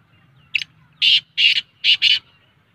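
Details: Black francolin call of a brief lead-in note and four loud, scratchy, buzzing bursts, the last two nearly joined, with faint low hum in the background.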